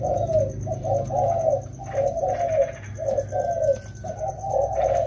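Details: During rainy-season training, two wild-caught spotted doves deliver repeated low, throaty cooing phrases, roughly one per second, with a faint sliding whistle and steady high tone in the background.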